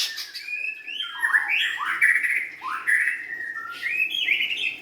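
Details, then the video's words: White-rumped shama, young and wild-caught, pouring out a continuous varied song of fluty slurred whistles, rising and dipping swoops linked into a long unbroken warble. "kicauan murai batu"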